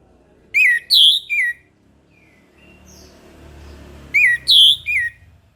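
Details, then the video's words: Orange-headed thrush singing in the morning: two three-note whistled phrases about three and a half seconds apart, over a low background rumble between them. "PANCINGAN ANIS MERAH TERBARU 2022 | BURUNG MACET LANGSUNG IKUT NGEMPLONG"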